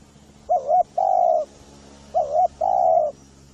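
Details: Spotted dove call played as a lure to attract spotted doves. Two phrases each pair a wavering double coo with a long steady coo, over a continuous low mechanical hum.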